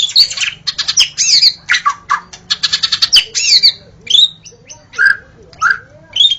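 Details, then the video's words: White-rumped shama at dawn, a recording used for trapping shamas. A burst of harsh, chattering notes is followed by spaced, mellow whistles and downslurs over a soft low hum. "Suara burung murai saat Fajar"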